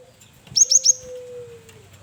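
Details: Varied song of a male cinereous tit kept as a lure bird: three quick, sharp, very high chirps in a tight run over a steady low hum.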